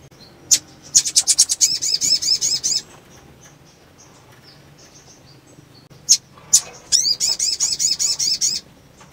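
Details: Calling female sunbird, in breeding condition, trying to stimulate males. A sharp chip leads into a rapid string of high, thin looped notes, then a pause, two more chips and a second fast string.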